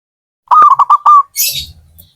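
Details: Zebra dove (perkutut), a hobbyist's bird, giving a short run of soft cooing notes near one pitch, about five quick pulses ending in a longer held note, followed by a brief rustling noise.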